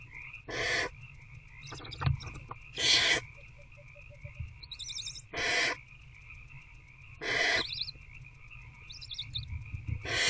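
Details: Barn owls in a nest box at night on 19 February 2024, around 9 pm, an adult feeding an older owlet one on one with a rat; five harsh, hissing screeches about two seconds apart, with faint soft ticking between them and a steady background hum.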